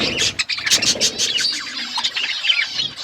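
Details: Pet budgies eating food and chirping: a steady stream of high, buzzy warbles and sharp chirps from several birds, with clicky pecking sounds throughout.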